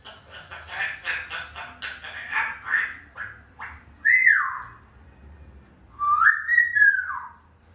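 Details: Grey parrot, kept bird, heard first as a run of rapid harsh chattering notes, then two loud clear whistles that rise and then fall, with a short pause between them.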